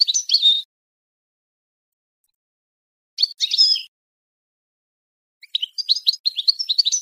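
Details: Goldfinch song for teaching chicks and songbirds: three bursts of high, liquid twittering notes separated by silences, the last a longer rapid run of tinkling chirps.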